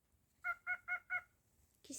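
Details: Pet cockatiel, described as naughty, gives four short nasal, buzzy syllables evenly spaced about a quarter second apart, like quick spoken words, followed by a brief rustle at the end.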